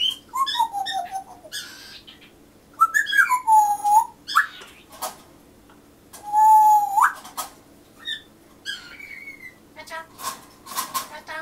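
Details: Pet grey parrot murmuring in the morning, saying a phrase meaning "mother and..." and waiting for a reply. Clear speech-like phrases mixed with whistles, several gliding and falling tones in bursts, over a faint steady indoor hum.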